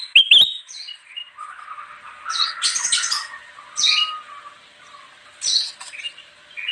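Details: Kutilang emas bulbul singing vigorously, recorded for attracting wild birds: a sharp opening whistle, then scratchy chattering bursts and soft warbled notes over a steady faint background hiss.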